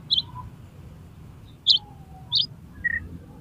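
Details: Oriental magpie-robin singing loudly and challenging a rival to fight with its tail spread. Four short, sharp, high chirps come spaced across about three seconds over a low background hum.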